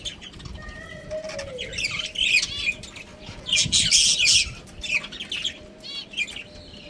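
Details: Caged budgerigar breeding pair calling with harsh squawks and chattering warbles in irregular bursts, a few clear whistled notes and a faint steady hum underneath.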